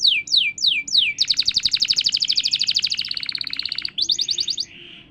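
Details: Canary in full song after moulting: four loud descending whistled sweeps, then a long rapid rattling trill, a buzzy steady passage, a brief fast trill and a soft fading buzz.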